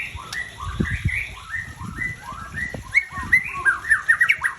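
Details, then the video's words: Captive White-rumped shama of the Aceh type (murai Aceh), a breeding adult with tail noted as 21, giving a rapid run of clear whistled, slurred notes that rise and fall, growing louder and denser near the end, over low background rumble and voices. "Murai Aceh"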